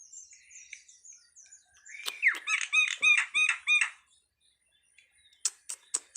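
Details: Starling singing: high thin varied whistles, then a loud run of about eight rich, ringing notes repeated quickly, followed by a pause and a few sharp clicking chips.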